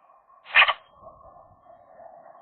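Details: Magpie of a young pair flirting inside the nest in January, in winter: one short, harsh, rasping note near the half-second mark over a steady low hum.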